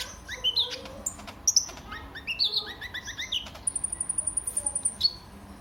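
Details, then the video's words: Sunbird (kolibri ninja) song used to prompt and tutor other birds: varied, twittering high notes, followed by a long, even, very high, rapid trill of about a dozen pulses and a final chip. "Burung KOLIBRI NINJA anda LANGSUNG GACOR pancingan dan masteran KOLIBRI NINJA GACOR"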